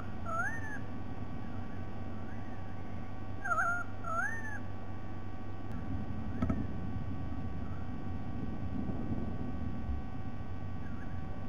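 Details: White-bellied sea eagle dated 07 12 2020: faint wavering calls early on, then a louder pair of slurred, rising-and-falling honks, followed by a long stretch of low droning background noise with a few distant notes.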